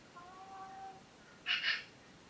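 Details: Pet parrots in their morning vocal session: a thin, wavering harmonic whistle lasting under a second, then a loud, harsh double squawk near the end, in an otherwise quiet room.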